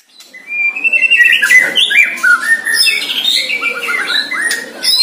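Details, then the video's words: One-year-old caged white-rumped shama facing a neighbour's shama in its first training session: clear whistled notes sliding up and down, short warbled phrases and sharp sweeps, building in loudness after a quiet start. "Murai Batu "PANGLIMA" Pertama kali latihan langsung serang musuh"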